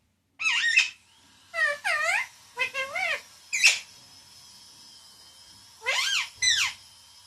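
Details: Pet parrot talking loudly, mimicking the words papa and mummy indoors; six bursts of harmonic, swooping syllables spaced unevenly over several seconds, with short silences between phrases.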